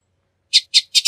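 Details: Bullock's oriole giving four harsh, dry chattering notes in quick succession, the last two nearly run together, against a silent background.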